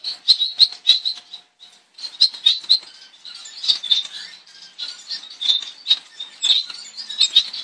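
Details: Double-barred finch, also called owl finch, a species of eastern and northern Australia; a steady stream of soft, nasal, high chirps and short twittering notes, several per second, with brief pauses.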